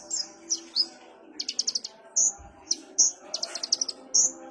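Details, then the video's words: Kolibri ninja sunbird as a relaxed lure: short, high slurred whistles alternate with fast bursts of four or five sharp chirps, repeated over a few seconds with a faint low hum behind. "pancingan konin suara santai"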